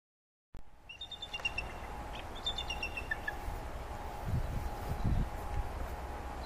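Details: A rescued adult female bald eagle at release near Kye Bay, Comox, BC, gives two bursts of thin, high chittering whistles, each a quick descending series of piping notes, not an aggressive call, over steady hum and wind rumble.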